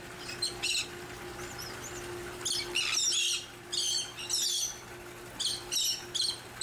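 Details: Large Elegant Tern nesting colony on barges in Long Beach Harbor, recorded August 13, 2021, amid a bird rescue and monitoring effort: grating, high-pitched squawks in irregular bursts of two or three, with a constant low electrical-sounding hum beneath.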